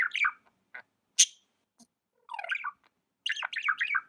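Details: Budgerigar kept as a pet giving a fast warbled chirp, a short buzz, a sharp high squeak, then two longer chattering phrases of wavering, sliding notes.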